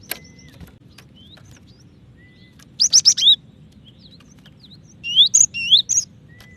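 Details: Calling female cinereous tit summoning the male, to quicken other birds' singing; two bursts of rapid high swept notes, the second longer and more varied, over a soft steady low hum.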